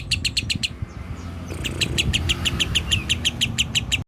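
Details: Lovebird, rasa kapas tembak song style: a short run of high chirps, a pause of about a second, then a longer string of quick piercing chips over noticeable low rumbling background noise.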